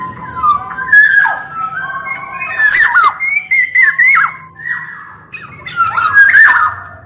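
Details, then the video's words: Singing black-naped oriole, both sexes, heard as a string of rich mellow whistles bending up and down, with several harsh scratchy calls layered over the phrases. "SUARA KEPODANG EMAS GACOR"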